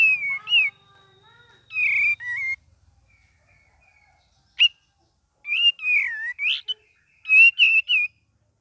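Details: Cream-vented bulbul in vigorous gacor singing with ngeriwik twittering variations: clear whistled notes with rising and falling slurs, delivered in short bursts of three to five notes separated by pauses, against a quiet background.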